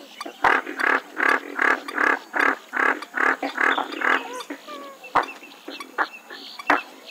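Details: Western swamphen uttering a steady series of about ten loud, nasal, braying pulses, evenly spaced at roughly two or three per second, then tailing off into scattered softer notes and clicks.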